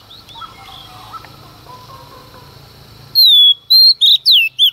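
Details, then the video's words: A female Oriental magpie-robin sings at dawn to provoke males. Three seconds of low murmur and faint chirps give way to a loud phrase: a long descending whistle and then short sharp notes. "Choè than mái hót kích trống hót căng sáng sớm"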